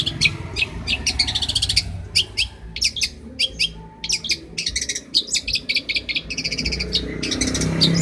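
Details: Master song of a champion long-tailed shrike: choppy, high-pitched bursts of fast chattering notes separated by brief gaps, over a constant low rumble.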